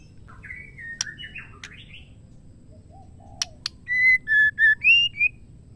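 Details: Female Oriental magpie-robin calling a male: scratchy chattering notes at first, then a clear run of about six pure whistled notes, level, dipping and rising, ending higher.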